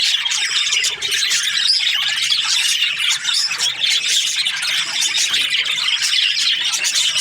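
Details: Budgerigars kept as breeding pairs chirping and squealing in a loud, continuous group chatter of high twitters and occasional sharper squawks.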